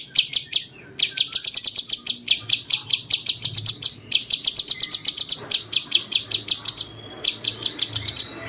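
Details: Cucak cungkok bulbul, kept as a tutor bird for contest songbirds, with a song likened to a cucak jenggot: long runs of rapid, sharp, high-pitched chips broken by brief pauses about every two seconds.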